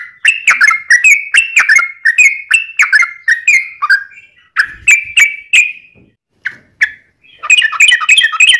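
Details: Sooty-headed bulbul in a long, fast rolling song used as a lure to make other bulbuls sing: bubbly, slurred whistled notes in quick series, with a short pause near six seconds before a dense burst resumes.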